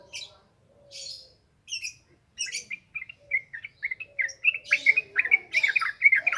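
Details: Yellow-vented bulbul song meant as a training lure: a few sparse high chirps open, then a quickening stream of liquid, burbling notes repeated about twice per second, growing louder toward the end.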